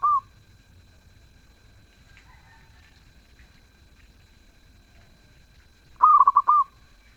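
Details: Zebra dove in active, melodious song, quiet for long stretches, then bursting into a single quick series of clipped coos ending on a held note.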